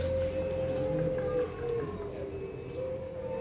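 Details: A Barbary dove competing in a free-class cooing contest at Situbondo on 4 August 2023 gives a long, steady mid-pitched coo held over a second, then starts another, over crowd murmur and rumbling noise.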